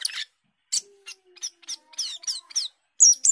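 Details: Asian glossy starling (cucak keling), gacor singing. Short scratchy chatter notes and descending whistled slurs come in quick succession, ending with a loud, sustained high shrill note.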